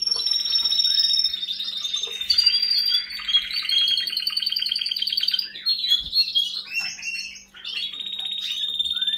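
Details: Canary in full song, a continuous stream of fast buzzy trills and rolling rattles at high pitch, changing tempo every second or two, broken by a short pause before more rapid trilled phrases.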